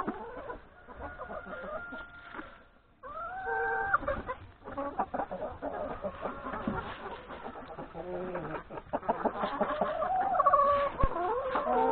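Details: Hens and three roosters at breakfast in the yard before heading to the forest to graze; steady overlapping clucks build after a brief lull, with longer wavering calls and a drawn, falling cry standing out.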